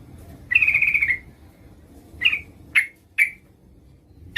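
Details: Female Yellow-vented Bulbul calling a male as a lure: one short buzzy trill followed by four sharp separate chips spaced unevenly.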